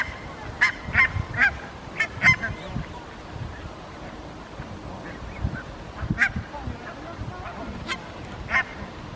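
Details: Barnacle geese grazing in a park in Helsinki, Finland, September 2021, communicating with short, sharp, yapping barks, several in a quick cluster, then scattered single calls, over a low background rumble.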